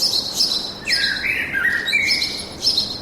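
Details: In a forest, birds give repeated high bright chirps throughout, while a lower whistled phrase slides and wavers in the middle of the passage before fading.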